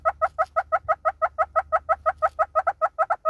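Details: Rapid, even clucking series from a southern red-billed hornbill in South Africa, about three clucks per second, each note a hollow doubled tone held steady throughout.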